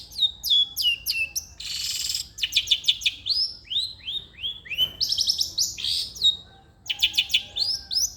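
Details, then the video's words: Long-tailed shrike song to prompt a lazy shrike to sing: sharp falling whistles, a harsh raspy burst, a fast trill, and a series of rising slurred whistles, varied and continuous. "irama KICAU CENDET gacor....cocok untuk pancingan/masteran cendet malas bunyi"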